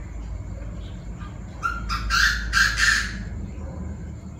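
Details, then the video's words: Evening calling by several Chinese francolins at 7 pm: one grating phrase of four or five loud, harsh notes delivered in just over a second against a quiet background. "Tụi đa đa - nhiều giọng - đại náo lúc 19h"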